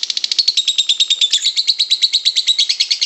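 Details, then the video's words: Continuous long chatter, called ngekek panjang kusumo, from a lovebird, used as a training master. Rapid raspy pulses roll on without pause, briefly swelling louder in the middle. "Masteran Lovebird 1 jam nonstop ngekek panjang kusumo"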